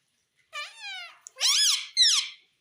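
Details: Indian ringneck parakeet kept as a pet indoors, said to say mummy and papa; three loud harmonic syllables, a falling drawn-out note then two arched squawky words, in a quiet room.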